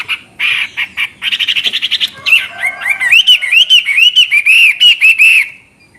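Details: Chinese hwamei singing ngoceh with clear, crystal-toned notes: harsh buzzy notes and a quick rattle of short notes, then a steady series of arched, ringing whistles repeated several times a second.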